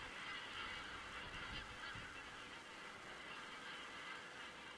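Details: Geese on an Estonian crane webcam on 27 September 2017; a busy, unbroken chorus of honking from many birds fills the clip, with slight low-frequency noise.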